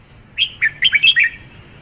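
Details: Red-whiskered bulbul singing one brief phrase of about six quick, liquid warbled notes, slurred up and down at a bright mid-high pitch, delivered within under a second against a quiet background.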